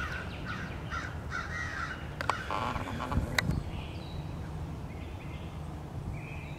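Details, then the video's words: American crows in numbers attacking a bald eagle returning to its nest, March 30, 2016: a cluster of harsh caws at the start, sharp clicks and knocks midway, then fainter calls over low hum. "Crows attack"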